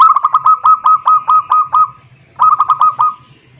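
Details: Zebra dove calling a rival: two phrases of fast, bubbling cooing notes, the first long with about nine pulses, the second shorter, both at a steady mid pitch.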